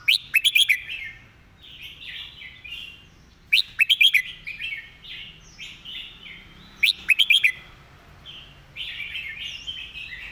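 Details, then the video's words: Red-whiskered bulbul singing a fast-delivered master song with repeated phrases: bright whistled bursts of quick notes, each followed by a gentle warbled tail, repeating about every three and a half seconds in a quiet setting. "เพลงดี"ปากไว เดินเพลงย้ำๆ เพลงแม่บท"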